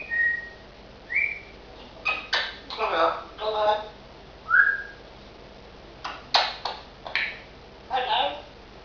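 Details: African grey parrot kept as a pet indoors, giving a rising whistled note near the start, another rising whistle mid-clip, and several short broadband speech-like bursts in between, spaced irregularly.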